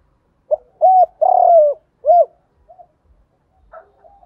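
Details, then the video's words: Male and female spotted doves used as a lure, calling to bring in wild birds. One low phrase of a short note, a bowed coo, a long wavering coo and a final coo, followed by soft trailing notes. "tiếng chim cu mồi gáy gọi bổi nhanh nổi [ tiếng thúc, gáy gọi ] chim cu cườm gáy gọi & thúc"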